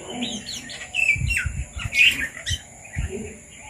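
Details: Red-vented bulbuls visiting papaya in rural Sri Lanka make scattered sweet chirps and a sharp upslurred note, mixed with low thuds and knocks, and a steady high hiss.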